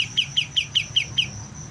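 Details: Young white-eye starting to learn its song, giving evenly spaced bright chirps about five per second. A high steady whine and low rumble run underneath.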